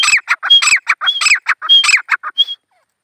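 Grey francolin calling in a fast run of harsh, squawky notes mixed with brief high whistles, about a dozen bursts in three seconds, then silence.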